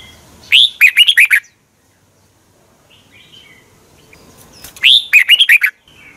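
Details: Song of a caged red-whiskered bulbul from Thailand, meant to stimulate other birds: two lively bursts of rolling, chuckling whistles separated by a quiet gap with soft faint chirps.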